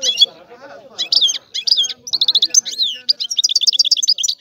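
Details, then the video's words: European goldfinch song: quick high twittering and tinkling notes becoming a fast string of repeated chirps, with a faint lower murmur behind in the first half. "تغريد الحسون"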